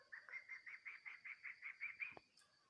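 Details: Female chukar partridge calling, a rapid even series of about eleven clucking chuk notes, roughly four per second, slightly rising in pitch, ending in a sharp click, with a steady high-pitched hum behind.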